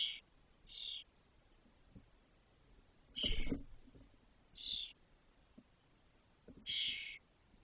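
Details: Spotless starling chicks, six fully feathered nestlings in a cork oak nest in Doñana National Park, Spain, 2023, around fledging day: harsh, buzzy high calls in short bursts, about five over eight seconds, with low knocking sounds from the nest.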